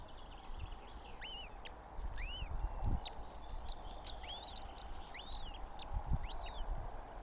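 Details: Eurasian goshawk chicks calling at the nest in Tartu, Estonia, on 9 May 2025: thin, high, arching squeals repeated irregularly over several seconds, against a steady low rumble and broadband outdoor noise.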